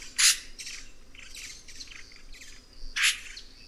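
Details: Red-rumped cacique (Cacicus haemorrhous) giving two loud, harsh broadband squawks at the start and end, with softer scratchy notes between and a faint steady high hum in the background.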